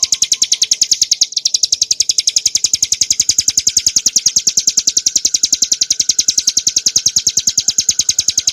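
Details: Rapid, steady ngebren nembak song of a bar-winged prinia (ciblek gunung), used as training material for cage birds: high, buzzy notes pulsing roughly three per second without pause for over eight seconds.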